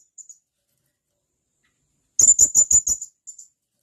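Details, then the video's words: Blue-crowned hanging parrot, possibly a male calling companions: faint soft peeps at first, then after a silence a burst of six loud, piercing high notes and two softer ones. "Suara Tajam Burung Serindit"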